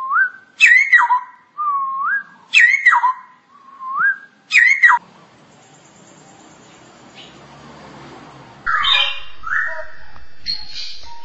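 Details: Cucak rowo, or straw-headed bulbul, in ngoceh masteran song: mellow rising whistles alternate with sharp bright flourishes roughly every second, then a quiet hissy pause before another loud whistled, warbling phrase.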